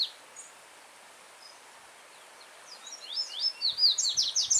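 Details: Free-living yellow-bellied seedeater over the soft sound of a brook. After a quiet stretch of water noise, it breaks into a vigorous, melodious series of sharp, high, downward-sweeping notes, steadily repeated.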